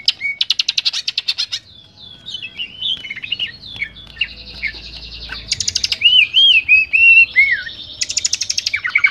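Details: Greater green leafbird in loud, clear ngeplong singing, used as tutor material with varied fill-in phrases: rapid buzzy trills, then a long jumble of chattering notes, then sweet whistled slurs rising and falling, and a closing burst of trills.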